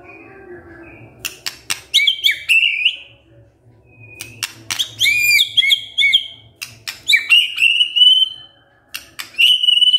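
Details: White-rumped shama lure song meant to set a male singing: high whistled phrases and sharp clicks in short bursts, separated by brief quiet gaps.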